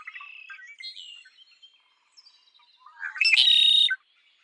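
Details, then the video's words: Red-winged blackbird singing: a few soft scratchy and whistled opening notes, then one loud buzzy, rattling trill lasting under a second near the end. "Red winged blackbird Sound"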